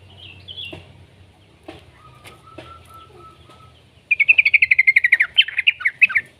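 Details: Young yellow-vented bulbul heard as a lure for other bulbuls' song; after faint chips and a thin steady tone, a loud rapid trill of buzzy notes runs for over two seconds.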